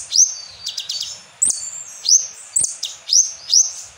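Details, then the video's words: Asian glossy starling lure song with kapas tembak fill: sharp, very high upswept chips and whistles, with quick clustered ticking notes, repeated at irregular intervals of roughly half a second against a quiet background. "PANCINGAN KONIN ISIAN KAPAS TEMBAK"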